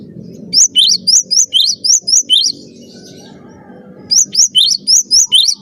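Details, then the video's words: Energetic cinereous tit song meant as a master for training birds: a string of piercing, upward-flicked whistled notes, a quiet gap of about two seconds with faint low noise, then the same rapid notes return. "master suara burung gelatik batu gacor"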